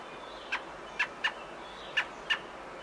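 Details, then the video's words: Robin at its nest on nesting day 19, 27 May 2018, with adults feeding their babies; five short sharp chirps in under three seconds, irregularly spaced, over steady background hiss. "Robin Birds feeding their babies"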